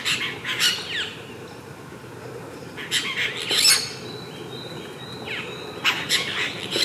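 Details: Apostlebirds (Struthidea cinerea) gathered at their mud nest in Australia give grating, noisy squawks in scattered bursts, with a few descending slurred notes and a steady thin whistle behind.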